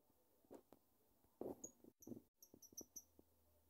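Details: Pet lovebird, a household's first cherished bird, chirping: sharp, very high, thin chirps, first isolated and then in a quick series of about five toward the end, over soft knocks and thuds in a quiet room.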